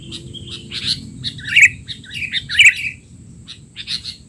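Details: Sooty-headed bulbul, noisy masteran for young birds: fast run of bright, slurred chirps and squeaky twitters, densest in the first three seconds, then sparser notes; low background hum.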